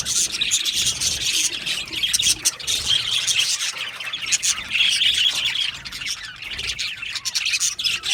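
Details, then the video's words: Aviary colony of happy budgerigars producing a constant busy mix of shrill chirps, squawks and rapid warbling from many birds at once, without pause. "Happy Budgies Sounds | Budgies Chirping Sounds"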